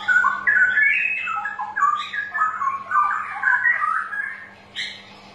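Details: A straw-headed bulbul pours out loud, rich, bubbling warbled phrases that tumble up and down almost without pause, ending with a brighter, higher note, over a faint electrical hum; a recording used to prompt reluctant birds to sing.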